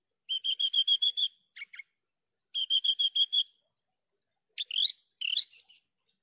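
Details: Javan bush lark delivering evenly repeated tonal notes in quick series, two brief chips, a second matching series, then rising, sweeping whistled notes ending high. No background noise.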